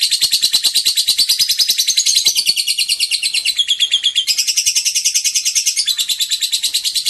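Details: Lovebird singing a long ngekek: a continuous high, rapid chattering trill, pulsing several times per second without a break, loud and steady throughout.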